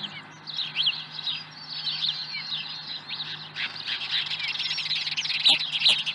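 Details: Osprey at its nest at Dunrovin Ranch, 7:01 in the morning on 30 April 2020, with an early fish: a run of short, thin whistled chirps, some slurring downward, then denser overlapping chatter amid other small birds and a faint steady hum.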